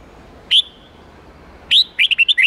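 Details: Red-whiskered bulbul singing in 8-9-10 note wild-standard style for young birds to learn: one clear rising whistle, a pause, then a rapid string of bright warbled notes.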